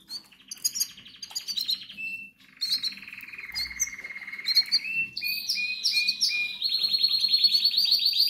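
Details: Begging chorus of hungry goldfinch chicks, tagged Canary Islands: continuous buzzy, trilled wheezing that drops lower midway, then rises into insistent high, rasping notes that grow louder toward the end.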